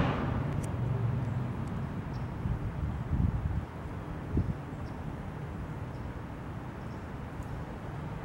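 Low outdoor rumble with a few dull knocks and thumps around the middle, and no animal voice heard.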